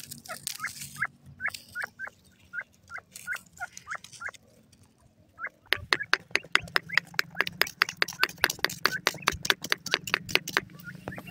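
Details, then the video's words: Francolin, locally called golden teetar: short, sharp down-slurred chirps repeated about twice a second for four seconds. A pause follows, then a run of loud rapid clicks or taps with occasional chirps, over a low steady hum. "golden teetar ke awaaz,partridge birds natural spking"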